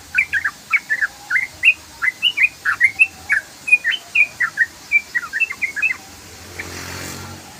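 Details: Trucukan, or sooty-headed bulbul, in sustained ropel song: rapid run of about twenty bubbly, slurred chirps in six seconds, then a passing vehicle hum.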